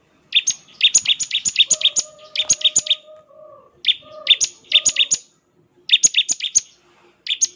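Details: Bar-winged prinia in full song, delivering the ngebren style: rapid bursts of sharp, high chirps packed into fast runs, broken by short pauses, with a steady lower whistled tone running beneath the middle section.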